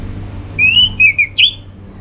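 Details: A short whistled phrase from an orange-headed thrush, meant to encourage caged birds to sing in the morning: a sustained clear whistle then two brief wavering notes, with low background hum.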